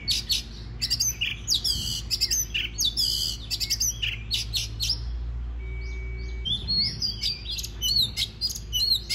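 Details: Oriental magpie-robin singing to trigger song in other birds: dense chattering and whistled phrases, a brief pause with a thin steady tone, then more sweet varied whistles, over a low hum.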